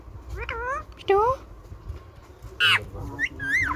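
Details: Indian ringneck parakeet talking, producing rough, speech-like syllables with wavering harmonic tones, then a loud squawky note and a rising-falling whistled phrase, over low background rumble.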